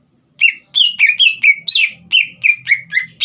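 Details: Green leafbird song used to rouse a young speckled bird: a fast, continuous string of about a dozen loud whistled notes, varied in pitch, one harsher burst midway.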